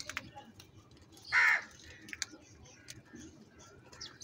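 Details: A harsh, hoarse caw from a crow amid birds fighting for food, one burst of about a quarter second, with faint clicks and thin chirping from other birds around it.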